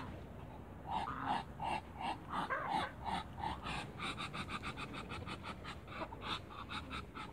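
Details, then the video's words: Two male waterbirds and a female greet each other with a fast string of clipped nasal notes, roughly three per second, at first tonal then turning into a rougher chatter. "MEETING TWO MALE ONE FEMALE AFTER THE CREATE WATERBIRDS"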